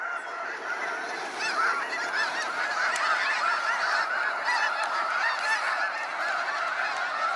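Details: Snow geese flocks departing at sunset, Sacramento National Wildlife Refuge: a roaring mass of overlapping yelping honks with occasional clearer single calls rising above.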